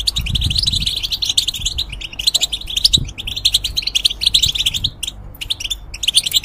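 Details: Caged European goldfinch singing for young hybrids to copy: a long, rolling stream of twittered and trilled notes, with a few silent gaps near the end and a soft low rumble underneath.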